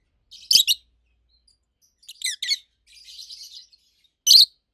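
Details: Two adult rosy-faced lovebirds, kept birds over a year old, a red-head green opaline and a white-head pallid aqua opaline, give loud high chirps in short bursts with a softer warbling passage between, quiet pauses around them.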